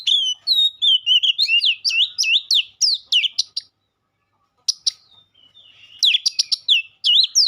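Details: White-rumped shama pouring out a rich, rapid run of whistled, swooping notes, with a brief silent pause midway before the varied phrases resume.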